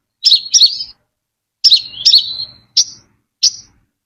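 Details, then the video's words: Brown-throated sunbird song offered as a clean lure recording: two pairs of sharp, high chirps that slide into short downward twittering notes, followed by two single bright chips, all separated by clear pauses. "Tiếng chim hút mật Họng Nâu(chim Đỗ Quyên) mồi chuẩn không tạp âm"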